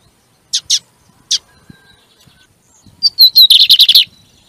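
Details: Lined seedeater, a training song for kept birds: three sharp high chips sound after short gaps, then a whistled falling sequence breaks into a quick buzzy trill of about eight pulses.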